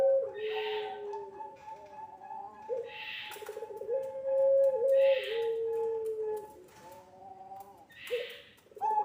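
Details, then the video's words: Puter pelung dove coo phrases as a training lure: low tonal coos with short held notes and a faint steady higher tone beneath, interrupted by breathy hissing bursts roughly every two to three seconds. "SUARA PANCINGAN BURUNG PUTER PELUNG GACOR COCOK UNTUK MASTERAN PUTER MUDA"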